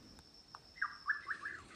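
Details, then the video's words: Rufous Nightjar calling nearby, unseen, in moist tropical lowland forest below 1,000 m near Moyobamba, northern Peru, early morning: a quick phrase of three or four slurred, whistled mid-pitched notes over a steady high insect hum. "Listen! That Rufous Nightjar is calling nearby."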